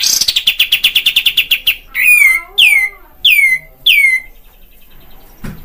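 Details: Olive-winged bulbul (kapas tembak) from Padang, a lure recording meant to stir fighting spirit: a fast train of about fifteen bright chattering notes, then four loud whistled notes, each sliding steeply downward.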